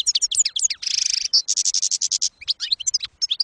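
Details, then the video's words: Goldfinch song for tutoring juveniles, campero style: quick high twitters, then a buzzy trill about half a second long, then a run of evenly spaced bright notes and more varied twittering. "CD CAMPERO PARA EDUCAR JILGUEROS"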